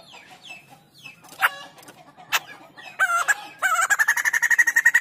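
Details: White-crested laughingthrush singing actively: scattered soft slurred whistles and sharp single notes, then a loud, rapid run of pulsed cackling notes with a ringing tone, roughly four per second, to the end.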